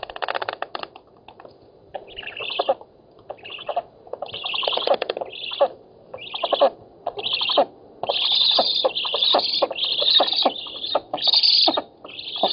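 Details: Black storks in Poland, on an oak nest, 7 August 2018, competing for fish. Repeated bursts of high, rasping squeals, roughly one per second, grow longer and more insistent toward the end, mixed with fast clattering pulses.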